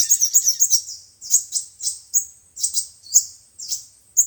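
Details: Sunbird song for trapping by speaker playback, five- and seven-coloured types: quick tinkling high notes at first, then spaced, sharp, thin chirps at irregular intervals.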